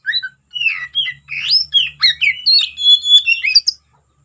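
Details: Oriental magpie-robin in fighting song, used to provoke rivals: a rich, varied string of whistled slurs, rising and falling notes and short chattering phrases, ending in clear high whistles.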